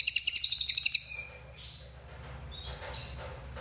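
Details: Lesser racket-tailed drongo (cililin) singing actively: about a second of rapid, sharp chirps repeated roughly ten times, then a few faint, thin whistled notes and a brief higher whistle near the end.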